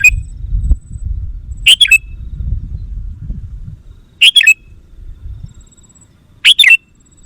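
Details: Lure recording of a sooty-headed bulbul for attracting wild birds: a short note, then three quick gurgling phrases about two and a half seconds apart, each a tight cluster of rising and falling liquid notes, over low noise.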